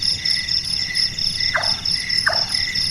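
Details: Large-tailed nightjar, a night-active bird whose call is likened to a carpenter at work: three short, knocking chonk notes falling in pitch, spaced irregularly, over a dense, high, pulsing insect chorus.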